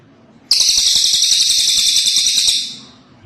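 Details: Cililin bird in full voice, a harsh, very high, tightly packed trilling burst starting abruptly and running about two seconds before fading out, with faint low background noise beneath.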